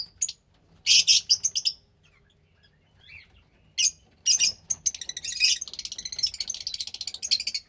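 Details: Fischer's lovebird chick, roughly 15 days old, kept by breeders from lutino and pastel parents, giving harsh broadband squeaky bursts, then a long, fast, stuttering high-pitched chatter running to the end.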